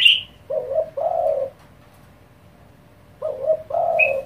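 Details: Spotted dove cooing quickly to stir up other doves: a stuttering low double note leading into a sustained hollow coo, given twice about three seconds apart, with brief high chirps at each end.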